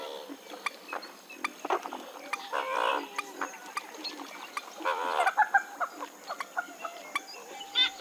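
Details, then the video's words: Western swamphen giving harsh, drawn-out nasal wails at about three and five seconds, separated by short clucks, over steady clicking and faint twittering. "Western swamphen (Porphyrio porphyrio) Birds Best Call Sound"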